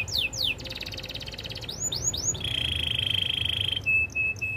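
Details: Belgian canary song for training: a few falling whistles, a rapid rattling trill, arched notes, a long steady buzzy trill, and short flat piping notes at the end.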